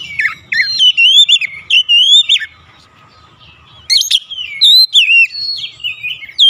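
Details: Oriental magpie-robin singing to provoke other magpie-robins: loud, clear whistled phrases that swoop and dip, delivered in bursts of about two seconds separated by a short pause, with a faint steady low hum beneath.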